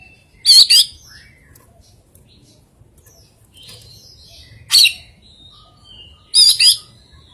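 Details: Oriental magpie-robin with an unusual song and rare filler phrases, giving loud paired harsh, squeaky notes three times at irregular intervals, with soft twittering in between.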